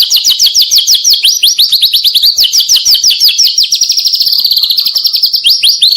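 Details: Juvenile (trotol) white-rumped shama singing energetically, a recording meant to prompt silent birds to answer; a fast, high, sharp trill of rapidly repeated rising notes, about three per second, running continuously throughout.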